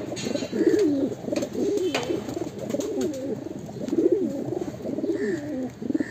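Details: A breeding pair of fancy pigeons in Mumbai gives low, rolling coos in overlapping bursts, each swelling and fading over about a second, with faint chirps and room noise behind.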